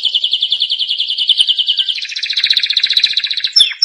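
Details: Training song of a canary: a fast, evenly pulsed trill of repeated high notes switches halfway to a slightly lower, denser trill, ending with a couple of sharp chips.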